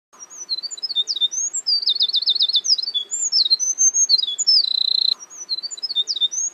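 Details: Eurasian wren singing in forest: a rapid, high-pitched stream of varied twittering notes, sweeping whistles and fast trills, including a dry rattling run and a steady buzzy trill, with no pause throughout.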